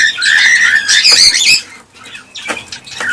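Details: Cockatiels calling to prompt breeding and production: a long grating squawk with bright whistled overtones, then quieter scattered short calls after a pause.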